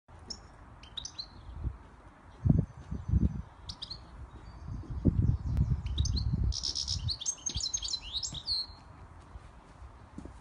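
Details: Moroccan European goldfinch giving short bursts of high, tinkling twittered notes, with a denser run of quick liquid trills late in the recording, over low rumbling thumps and background noise.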